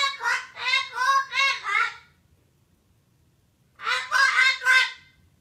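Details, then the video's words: Parrot shrieking hysterically, harsh grating squawks in a rapid run of about five pulses, a pause of nearly two seconds, then another burst of four loud raspy cries. "Hysterical Parrot / Попугай Истеричка"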